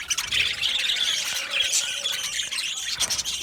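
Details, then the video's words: Budgerigar flock in an aviary chirping together: thick, busy warbling chatter with short squeaky notes layered over one another, steady in loudness across the stretch. "Budgies chirping sounds"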